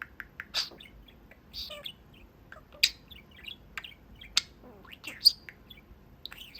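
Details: Talking pet parakeet, a male budgerigar at his cage window chatting with the people in the room; sparse high chirps, clicks and short upward-sweeping notes spaced irregularly, several sharp ticks standing out in a quiet room.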